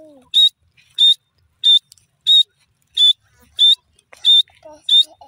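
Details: Grey francolin call: clear, shrill whistled notes repeated very steadily about every two-thirds of a second, eight in a row, with little else audible.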